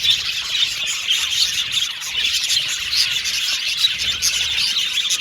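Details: Happy Australian budgies in full chorus, an unbroken stream of soft high tweets, trills and scratchy chatter from several birds, with occasional thin whistles.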